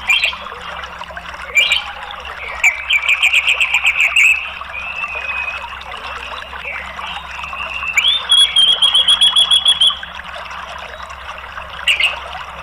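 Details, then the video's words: Orange-headed thrush, a caged bird answering a lure recording, with thin whistled notes near the upper range, a sustained wavering whistle around the middle, and a quick series of high rapid notes; steady background hiss throughout. "ANIS MERAH JADI NYAUT ikut NGERIWIK NGEPLONG"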